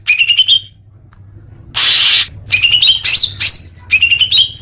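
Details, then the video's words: Leafbird song for conditioning young birds: short whistled, slightly rising phrases repeated between pauses, broken once by a loud hissing rush of noise in the middle. "suara kicau murai daun untuk terapi burung bakalan"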